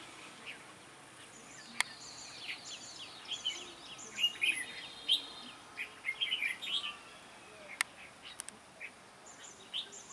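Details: Red-whiskered bulbul with a sharp voice, recorded while being trapped: scattered short chirped phrases at mid-high pitch, loudest around the middle, with quieter gaps and a faint background hiss.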